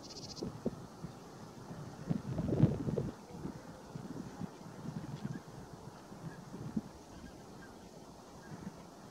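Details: A large wintering flock of Baikal teal at Geumgang Lake, Korea, on 13 January 2024 gives low, throaty clucking. It blends into a steady murmur and rises briefly in a louder burst, over a faint background rumble.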